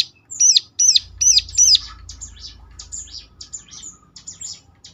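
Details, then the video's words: Ciblek (bar-winged prinia) singing to provoke a reply from others: four loud sharp hooked chirps in quick succession, followed by softer, scratchy, high twittering notes. "ciblek lain ngecLak ikut nyaut || mesti Nyautnya."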